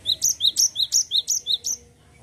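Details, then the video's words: Continuous rolling song from a cinereous tit: some nine crisp high two-tone notes in rapid, regular succession, then silence. "GELATIK BATU GACOR NGEROL"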